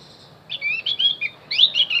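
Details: Javan grey-throated white-eye singing, played to lure wild birds. A brisk run of sweet, high warbled notes starts after half a second, breaks briefly, then resumes with rising and falling chirps.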